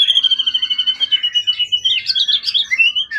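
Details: Wild-origin competition bird with a tail over 20 cm, long kept in care and calm rather than skittish, delivering a loud, continuous warbling song of rapid repeated notes, trills and bright high whistles that grow denser near the end.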